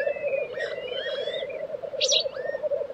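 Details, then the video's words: Black grouse lek, Sweden's Tiveden, April 2023: an unbroken low gurgling murmur, one short loud hissing burst near the two-second mark, and scattered high whistles from other birds. "Black Grouse Lek - sound recording"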